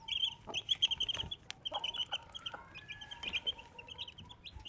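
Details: A mother Desi hen with four chicks. Bright, shrill chick peeps come in clustered runs with brief pauses, plus a faint steady hum and occasional light knocks.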